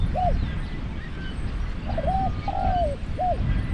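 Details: Caged spotted dove used as a decoy to lure wild doves into a trap. It gives a deep voiced coo phrase: a short hooked coo, a double coo, a long falling croo and a final short coo, over steady low rumbling background noise.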